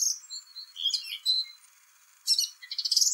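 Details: Turdus philomelos, the song thrush, singing in spring: fluty and scratchy high notes, a pause, then a rapid rasping trill that climbs in pitch.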